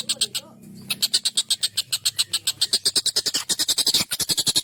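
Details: Collared kingfisher, kept as a master voice for training songbirds, delivering a long, sharp, harsh excited series. After a brief low murmur at the start, loud rasping notes follow quickly and evenly, about seven per second.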